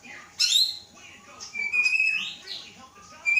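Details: Captive Aceh White-rumped shama, hatched in August 2012, whose mother came from Gayo Lues. A sharp high note, then a thin level whistle and a swelling slurred phrase, with a final short whistle.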